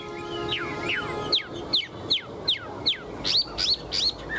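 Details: Caged hwamei sounds: a series of sharp downward-sweeping whistles repeated about every half second, over a steady low background hum.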